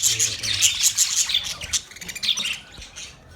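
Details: Budgies in a master cage twitter rapidly, giving quick high chirps about three per second at first, then softer scratchy warbling fading toward the end.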